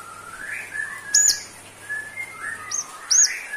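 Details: White-rumped shama singing for a bird lacking stamina: soft low slurred whistles broken by sharp high chips near the start and end.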